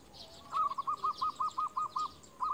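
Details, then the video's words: Local zebra dove, a champion lure bird used to call rivals, gives a fairly faint cooing phrase: a quick string of about eight short, even notes at one steady mid pitch, with a light hiss and faint chirps behind. "Perkutut lokal gacor JUARA Pikat terbaik paling jago memanggil lawan"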